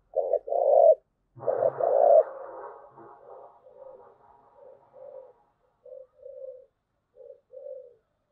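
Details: Spotted dove, thúc gù cooing: loud paired coos, a short note then a longer rough one, twice, then a trailing series of softer, fading, rhythmic low coos at regular intervals.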